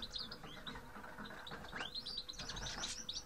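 Grey-headed goldfinches give a busy tangle of high, tinkling chirps and twittered notes, with several birds calling over one another against a low background rumble.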